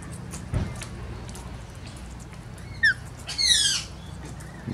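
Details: Wild male rainbow lorikeet visiting people who offer him grapes, calling to announce his arrival: a quick falling chirp, then one harsh, buzzy, raspy squawk lasting about half a second against a quiet background with a soft thump.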